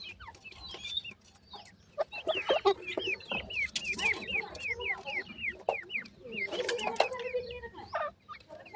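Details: Francolin chicks peep continuously while feeding, a rapid run of high, down-slurred notes from several birds at once over scraping and tapping noises.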